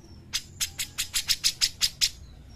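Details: Grey-cheeked bulbul, cucak jenggot, in a lure and training recording for other birds: nine sharp, high chip notes in a quick, even series of about four per second, then silence.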